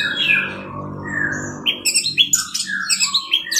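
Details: Orange-headed thrush 'teler' song for masteran training: descending whistled notes give way to a rapid burst of sharp, high chirps and twitters over a steady low background hum.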